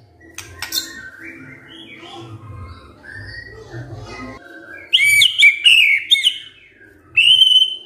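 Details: White-rumped shama in kretekan fighter style, meant to provoke silent shamas: soft, scattered whistled notes at first, then loud, bright, high-pitched chattering phrases and a final clear whistle.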